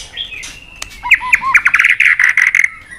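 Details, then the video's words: Provoked white-rumped shama giving its competitive fighting song: a few soft low whistles, then a fast run of loud, sharp, repeated notes, about eight per second. "Kích Cực Nhạy , Chòe Lửa Đánh Đuôi Sàn Cầu Kích Lửa Hót Căng. luyện Chòe lửa hót đấu."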